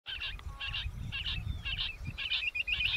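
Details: Rock bush quail calling: bursts of harsh, buzzy notes repeated about twice a second, with a low rumble of background noise underneath.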